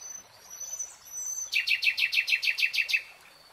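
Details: Nightingale in a lush forest sings a rapid series of about ten loud, repeated notes lasting roughly a second and a half, following softer high background sounds.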